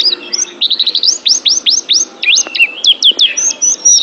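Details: Pet oriental white-eye singing in a training recording: quick high chips leading into a series of long upswept whistles, then rapid twisting notes, all very high-pitched.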